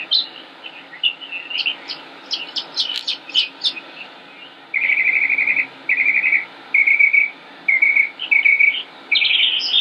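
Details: Northern mockingbird singing on 25 May 2016 in Concord, North Carolina: scattered sharp high chips, then a buzzy trilled phrase repeated six times about once a second, ending in a rough burst.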